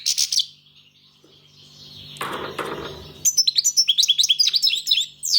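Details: A European goldfinch gives a short twitter, then falls quiet through a second of broad rustling noise. It then delivers a rapid run of bright, tinkling, up-and-down notes.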